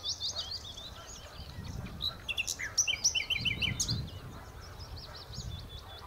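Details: Common nightingale song recorded at the Horsmeertjes on Texel: chattering varied notes, a burst of quick repeated phrases, then a series of high descending strokes, with low rumbling noise beneath.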